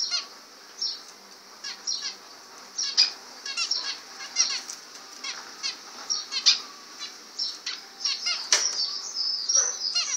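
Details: Several zebra finches singing, a continuous stream of short nasal, buzzy notes and quick chattering phrases, some louder than others, with wing flutters mixed in throughout.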